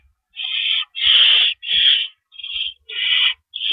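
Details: Owl nest before dawn on April 4, 2012, during a series of rabbit deliveries. Rapid harsh screeches follow almost back to back, some louder and fuller, others thinner, with faint knocks underneath.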